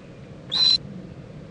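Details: Owl in Indiantown, Florida, with a mother visiting and preening her owlet on a February 2014 late morning: a brief, piercing, whistled screech of about a quarter second over low hum.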